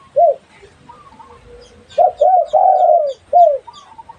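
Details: A single soft coo is followed after a pause by a quick cluster of four rounded dove notes, one long and descending, with faint quieter calls in between.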